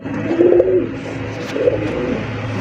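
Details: Domestic Swa Chandan pigeons, a large breeding pair with a much-calling male, kept for sale. One short, low, wavering coo, then a fainter brief coo, over steady indoor background hum and murmur.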